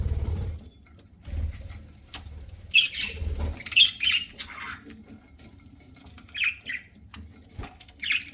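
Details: Pet budgie calling during a meal, giving a cluster of sharp, high chirps and squawky notes in the middle, then a few isolated short chirps, with low thumps and quiet rustling.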